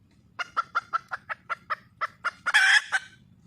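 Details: Calling for a male partner, a wild red junglefowl hen gives about ten steady, regular clucks that build into a drawn-out, coarse squawk and a final cluck.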